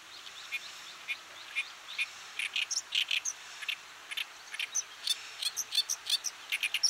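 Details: Oriental Reed Warbler from Japan, a bird of fields, grassland and watersides. Grating, chattering phrases of harsh repeated notes, sparse at first, then speeding into dense bursts with occasional thin high squeaks.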